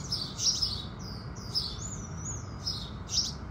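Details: At sunrise, house sparrows give bursts of sharp high chirps. A long, thin, level whistled note from another bird runs between them, all over a faint low rumble.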